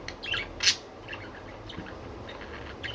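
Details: Pet budgerigars giving a couple of sharp chirps followed by a loud harsh squawk, then quieter scattered twitters over a low hum.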